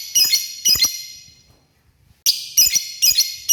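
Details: Male lovebird calling to the female: shrill, harsh, high-pitched chirps in two quick bursts, a pause of about a second, then three more rapid bursts.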